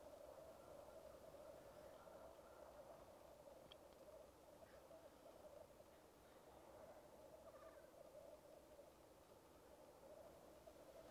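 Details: Black grouse displaying at a lek, recorded on a Rode Videomic Go: a steady, low bubbling coo rolls on without a break for eleven seconds. A few faint higher notes break through near the fourth and eighth seconds.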